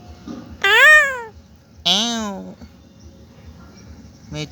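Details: Talking pet parrot saying its own name: two loud, drawn-out harmonic syllables, the first rising then falling, the second lower and steadier, followed by a short final sound in a quiet indoor setting.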